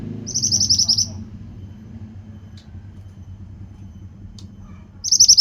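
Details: Pied bushchat in vigorous song: a brisk series of high, sharp notes, then quiet for about four seconds before the next burst begins, with a low background hum.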